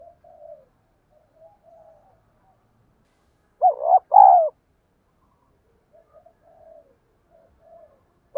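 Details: Female spotted dove used as a lure for wild birds, with soft, low coos, then two louder, hoarse coo notes mid-way and another at the end, separated by silence.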